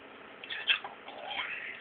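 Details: A male pet European starling utters brief, squeaky, scratchy mimicked talk: two short bursts of high, slurred notes, the second rising and fading.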